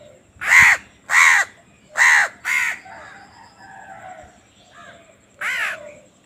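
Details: Hungry crow chick begging while fed: four loud, coarse caws in quick succession, then softer murmuring calls and one final harsh caw.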